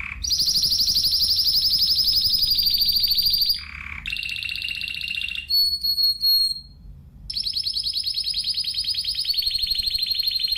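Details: Spanish timbrado canary delivering long, loud rolling trills separated by a buzzy low note, a lower trill, and short whistled notes, before another extended rapid trill; faint background hum throughout.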